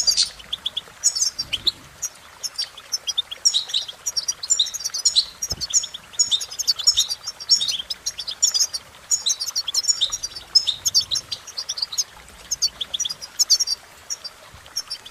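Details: European goldfinch song, a long run of fast, liquid twittering and buzzy high chips in dense phrases with brief pauses, a single sharp click near the middle.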